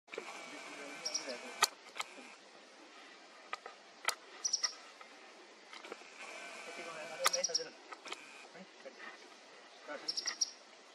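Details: Olive sunbird (Cyanomitra olivacea) calling: short, high, thin chips in small clusters about every three seconds, over steady background hiss with scattered clicks and knocks.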